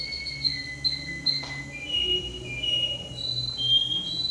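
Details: Male canary, entry no. 10 at a canary contest in Rostov-on-Don, 22 January 2011, sings long, pure whistled notes that hold steady and then step to new pitches, with a soft low hum underneath.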